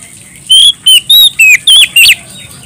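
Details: Energetic, clear-voiced Oriental magpie-robin calling out to a rival with six piercing whistled notes in quick succession, bending up and down in pitch with brief pauses between, very loud against a quiet hissing background.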